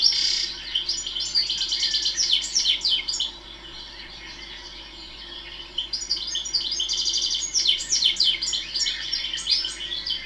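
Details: European goldfinch (Carduelis carduelis) singing at a British nature conservation area with thistles, teasels and seed feeders: a bright, tinkling twitter of fast liquid notes and buzzy trills in two long bursts with a short pause.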